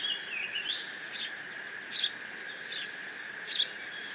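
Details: Decorah bald eagle eaglet on 30 June 2017, squeeing over a fish its father delivered while alone in the nest; an opening warbled squeal followed by a few spaced high chirps, set against steady mechanical hum.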